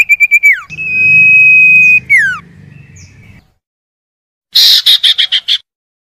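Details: A common iora, used as a lure to prompt quiet ioras to sing, gives a few quick clear notes, then a long level whistle ending in a falling slur, then a fast buzzy chatter of six or seven notes, over a faint low hum.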